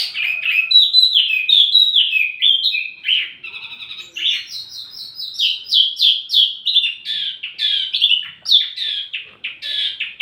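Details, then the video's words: Wambi mini singing continuously, used as lure and tutoring audio for songbirds: a long, fast warble of high squeaky notes sliding up and down, with brief quieter gaps. "wambi mini burung pancingan sekaligus masteran buat tledekan anda"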